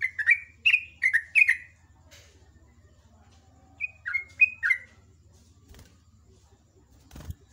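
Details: Morning song of a sooty-headed bulbul (trucuk): quick bright chirped phrases, a quiet gap, then a second short run of falling notes, with a faint hum and a soft knock near the end.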